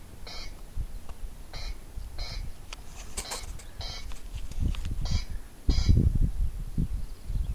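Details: Corncrake calling with short rasping double bursts, repeated roughly every second but unevenly spaced, over steady low rumbling background noise.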